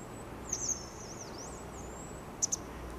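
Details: Daurian starling (Sturnus sturninus), an East Asian bird filmed in Korea or Japan, giving a thin, very high wavering whistle with a few sharp chip notes over a soft background hiss.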